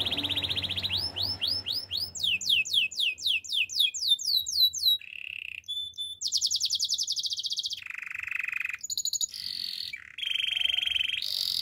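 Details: Canary pours out a long song: a fast trill, then a series of rising swept notes that quicken, followed by alternating high and low rolling trills in tight blocks.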